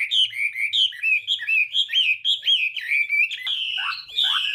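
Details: Chinese hwamei singing in the morning, voice-training song meant to provoke singing: loud whistled phrases, rapid rising and falling notes in quick runs, ending with sweeping slurred whistles.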